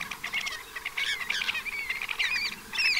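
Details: Pied avocets at the Séné nature reserve, Gulf of Morbihan, France, on 29 April 2023, in spring as the first chicks hatch, give a busy chatter of short piping notes and quick sliding whistles, several calling over one another.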